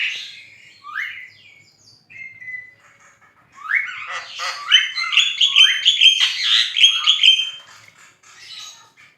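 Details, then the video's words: Javan myna in lively song, meant for training other songbirds: a few rising squeaks and a flat whistle, then a long, rapid stream of scratchy, chattering notes that fades out. "JALAK KEBO GACOR FULL MASTERAN BUAT KICAUAN ANDA"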